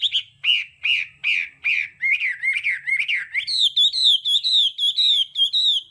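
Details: Hwamei singing in the style called đảo âm, used for voice training: loud slurred whistles repeated about twice a second, first lower downward-sweeping notes, then a run of higher, bright, quickly repeated phrases.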